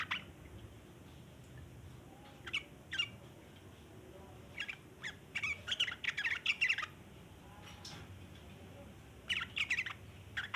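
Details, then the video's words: Long 'ngeriwik' chatter of a sooty-headed bulbul, meant to draw in other bulbuls: scattered short bursts of rough, jumbled notes separated by quiet spells, strongest in a cluster past the middle and again near the close. "burung trucukan ngeriwik panjang cocok buat pancingan trucukan bahan"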